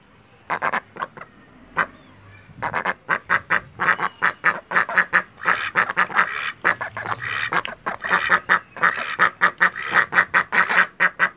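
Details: Pet ducks quacking in rapid, harsh bursts, several birds overlapping into a busy chorus of loud, nasal quacks several times a second.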